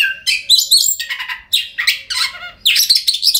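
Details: Oriental magpie-robin song used to coax mute birds into singing: short bursts of sharp, scratchy and whistled notes separated by brief pauses, bright and high.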